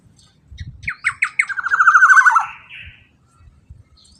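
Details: Black-naped oriole played to provoke other orioles. Four short, emphatic notes lead into a long, raspy, nasal phrase falling in pitch, followed by a softer harsh note and faint low knocks.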